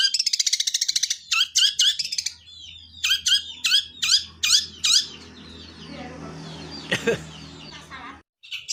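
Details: Long-tailed shrike in a fighting, church-bell style song, giving a rapid train of sharp squeaky notes, then repeated harsh ringing bursts about every half second, fading into softer twittering and a low hum.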